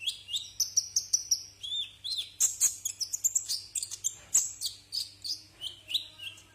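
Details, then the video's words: Tutor recording for cage birds of Brown-throated sunbird song: evenly spaced high chips, short whistled slurs and twittering runs, over a faint low electrical hum. "masteran burung Kolibri"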